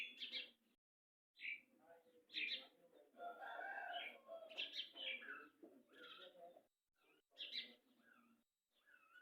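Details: Brown Aseel rooster crowing, locally called murga ki azan: a long harmonic crow holds steady for about two seconds mid-clip, framed by short sharp chirping bursts before and after.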